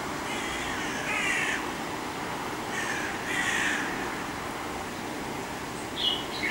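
A Fieldfare gives harsh, chattering chack-chack bursts, two longer runs and a short final one, over a steady rushing background noise.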